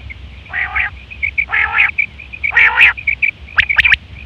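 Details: Female quail sounds for trapping: three buzzy, nasal, harmonic-rich bursts about a second apart over a steady run of thin, high notes, ending with quick sharp ticks.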